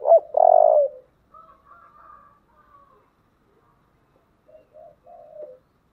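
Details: Spotted dove in the thổ voice, giving thúc and gáy gọi coos. A loud, full opening coo fades into quieter hollow notes, then a soft three-note phrase ends the sequence in a quiet setting.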